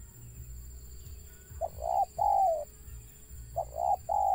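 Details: Wild zebra dove with a stuttering call: two bursts of short, stammering coos, each a quick clipped note followed by longer rolling, slightly falling coos, with a steady hum beneath.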